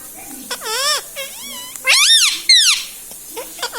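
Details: Talking pet parrot indoors, said to repeat mummy, papa and radhe radhe; several wavering, arched harmonic syllables in short phrases, loud and clear over faint room sounds.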